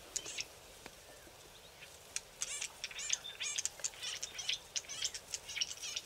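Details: A few Green-backed Camaropteras, thought to be young birds learning to vocalise, hidden in thick bush on a river bank, give quick bursts of high, thin chirps that grow busier after a quiet start, notes tumbling over one another.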